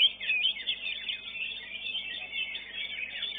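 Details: A greater green leafbird that won first place at a songbird contest sings a dense, rapid stream of high, squeaky chirps and warbled twitters with no pauses. Other birds may be singing alongside.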